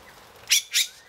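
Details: A courting male Satin Bowerbird, performing to impress a female with dance and varied song, gives two quick, harsh, buzzy bursts about a quarter second apart, high and hissing in tone, with nothing else heard.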